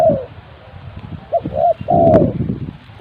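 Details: Lure spotted dove used in bird trapping, giving soft hollow coos of rising then falling notes, one longer drawn-out coo in the middle, over rustling and low background noise.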